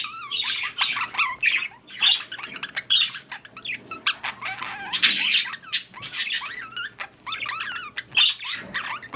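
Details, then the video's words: Breeding budgies chatter continuously, mixing rapid scratchy notes, short upward chirps and harsh squawks in overlapping bursts, with no quiet spell. "Budgies / parakeets | Mating / Breeding"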